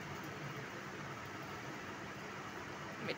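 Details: Steady fan-like hum and room noise fill a small indoor space, with a brief faint click near the end.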